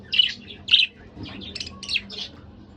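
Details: A couple of pet budgerigars in fast chatter: two loud buzzy chirps followed by a tumbling series of warbled, scratchy notes in a quiet room.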